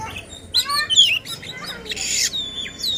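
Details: Short burst of agitated oriental magpie-robin song, sung to provoke rivals: a few harsh, buzzy notes and sharp whistles with a raspy noisy phrase near the middle.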